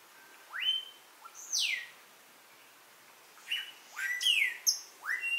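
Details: Melodious Blackbird singing at Xpujil, Mexico, near cabins, often hard to see while displaying: loud whistled notes sweeping up, others swooping down, in bursts with pauses, some phrases doubled and overlapping, quiet background.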